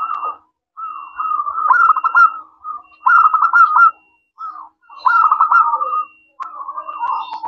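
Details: Local zebra dove in full song with a clear, crystal-like voice, meant to draw replies from other doves; near-continuous bubbling, trilled coo phrases following one another with hardly a pause.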